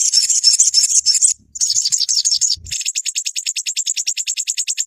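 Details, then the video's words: Olive-backed sunbird singing to tutor caged birds: a dense, shrill, very high twittering run, a short break, then a fast regular series of thin piercing notes. "Dalam hitungan menit burung sogonmu ikutan gacor dan ngeleper"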